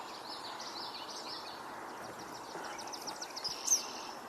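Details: Eastern kingbird calling nearby on a 7/11/2026 outing, thin, high, sputtering notes, fast chattery ticks that build to a sharper note near the end, over a steady hiss of background noise.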